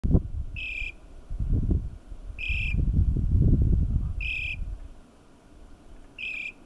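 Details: Loggerhead Shrike giving four short, nasal, mid-pitched notes spaced about two seconds apart, over a heavy low rumble of wind, at KOFA National Wildlife Refuge, La Paz County, Arizona.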